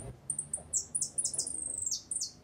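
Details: European goldfinch song with "repique", "golpe" and "pito" phrases: a quick run of thin, high, downslurred notes, then a fast tinkling roll and two sharp closing notes, over a faint low hum.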